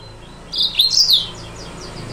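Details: Yellow-fronted canary song used as a lure recording to provoke rival birds: a single short burst of high, quick, twittering notes lasting under a second, over faint low background hum.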